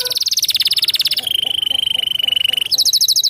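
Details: Canary in song: rapid trills of very high, evenly repeated notes, a long steady rolling trill in the middle, then a higher bright trill at the end, loud and clear.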